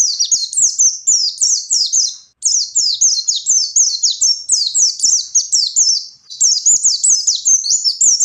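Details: Continuous fast twittering from a wild white-eye meant to provoke rivals, a long stream of high, sharply descending notes with only brief breaks.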